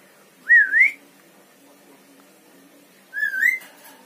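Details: Javan myna, a talking bird that mimics words such as bapak and mamak and also whistles: two clear rising whistled phrases, each about half a second long, roughly two and a half seconds apart, over a faint low hum.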